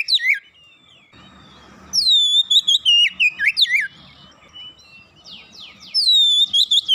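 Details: Magpie-robin lure song: swooping whistles, a soft low hum, then a loud descending whistle and a run of twisting notes, some quiet buzzy notes, and a final clear whistle.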